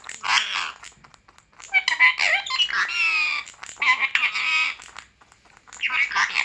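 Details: Pet parrot speaking Urdu and Arabic indoors, with bursts of harsh, raspy imitated speech broken by short squeaks and squawks and brief pauses between phrases.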